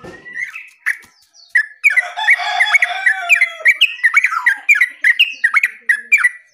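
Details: Terucuk, or yellow-vented bulbul, singing in lively 'gacor' style: a few separate whistled notes, then a dense stream of sharp, falling chirps delivered several per second for about five seconds.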